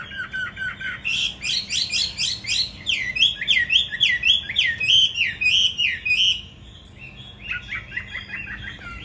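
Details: A caged Hwamei trained for fighting, in Hà Nội, Vietnam, sings a fast, jumbled stream of rising and falling whistled notes for several seconds, goes briefly quiet, then resumes with quick chirps.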